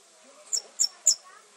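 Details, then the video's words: Red fody singing in trees, three very high, sharp ticking notes about a quarter second apart, thin and insect-like, over faint background hiss. "Red Fody Singing"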